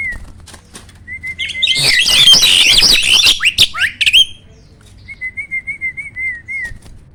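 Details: Black-winged starling song intended to prompt lazy starlings: a string of level whistled notes, a sudden loud raspy outburst of squawks, then a fresh series of quick, slightly wavering whistles repeated at a steady pace.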